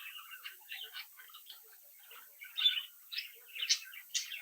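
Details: Home-bred budgerigar chicks in captivity chirping and warbling; rapid run of soft chattering notes, then louder sharp chirps toward the end.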